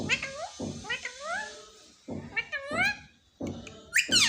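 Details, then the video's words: Pet parrot that talks, said to repeat "mummy mummy": a string of descending, meow-like harmonic syllables in uneven groups, ending in a sharp rising squeal, over a faint background hiss. "मम्मी मम्मी बोलने वाला तोता"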